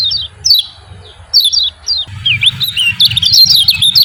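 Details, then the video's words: Javan white-eye lure calls meant to provoke silent white-eyes: several thin falling chirps, then a dense, twittering jumble of high warbled notes over low rumbling background noise. "CIAK JOS KECIAL KUNING BIKIN KECIAL MALAS BUNYI EMOSI IKUT GACOR"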